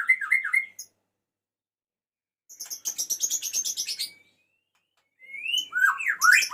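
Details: Male white-rumped shama calling the female: a quick warbled phrase, a pause, a dry rapid ticking series, then slurred rising and falling whistles.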